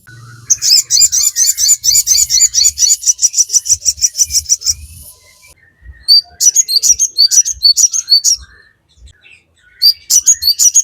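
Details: Sogon (Crimson Sunbird) in lively song meant to train captive birds: a fast trill of high, sharp, evenly repeated notes for several seconds, then a brief pause and clusters of piercing chirps.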